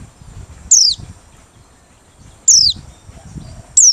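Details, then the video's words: Three isolated, shrill notes from a Merapi white-eye, singing open-beaked as a lure, each gliding from very high pitch downward, roughly one every one and a half seconds, over soft low noise. "Pleci Merapi Ngalas Losssdol,cocok buat pikat~pancingan || Buka Paruh"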